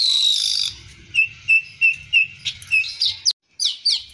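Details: Energetic streaked weaver song, full of fill phrases, recorded for tutoring other birds: opening buzz, then a row of short clear whistled notes about three per second, ending in high sliding chirps over a soft low rumble.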